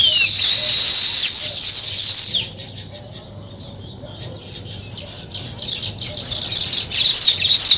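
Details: Weaver birds busy building a nest, with a loud high chattering chorus that fades into a quieter spell of soft ticking notes, then swells again into dense chirping.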